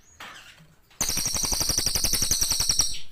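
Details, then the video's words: Cililin in lively full song: after a faint start, a rapid rattling trill of high metallic notes, about four per second, keeps going steadily for two seconds. "CILILIN GACOR"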